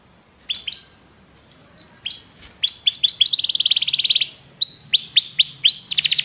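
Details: Belgian canary, singing to draw other canaries into song, starts with scattered short chirps, then builds to stuttering notes and a buzzy trill, followed by arched whistled phrases and a fast rattle at the end.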